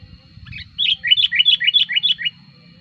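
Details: Sooty-headed bulbul lure recording for calling in wild birds: a single fast burst of about eight bright, bubbly, slightly falling whistled notes delivered in an even, rapid sequence.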